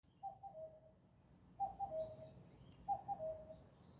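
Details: Bird song: a short mid-pitched phrase of two quick notes sliding down into a lower held note, repeated about every 1.3 seconds, with thin high whistles between phrases over faint background hum.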